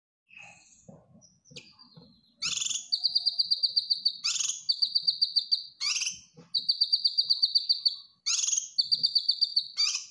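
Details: Cucak kinoy bulbul in full song (gacor), used as master song for training caged birds: faint notes first, then harsh broad bursts each followed by a rapid high buzzy trill, repeating about every two seconds.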